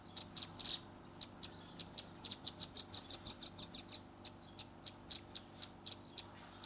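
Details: Young velvet-fronted nuthatch, recorded on a Redmi 10 phone, giving a chattering 'tembakan' shooting song: scattered high sharp chips, then a dense run of about a dozen quick piercing notes before the chips slow again.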